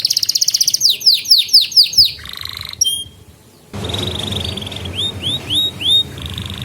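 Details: Canary song used as a lesson for young birds and to stir silent canaries: dense rapid trill, descending whistled slurs, a buzzy grating note, brief pause, then a flat trill and looping rising whistles over faint background hiss.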